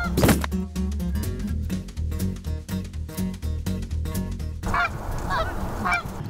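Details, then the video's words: Canada goose in Kentucky, where wildlife biologists band geese and whose honks were once foreign to Eastern Kentucky: three or four nasal honks come in the last second and a half, after steady background music. "that sound of that Canada Goose was a foreign sound to Eastern Kentucky when I was a kid we didn't hear that noise"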